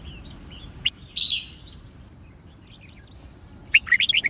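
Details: Red-whiskered bulbul song used to train birds to learn songs and sing in contest: a short whistled phrase, a slurred note, then after a quiet gap a fast burst of sharp chirping notes.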